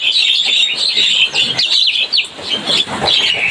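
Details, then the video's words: Javan myna chirping in a lively, busy chorus: dense overlapping high squeaky chatter and tweets throughout, with a few quick sliding notes near the middle. "Suara burung jalak kebo cuitannya bikin rame"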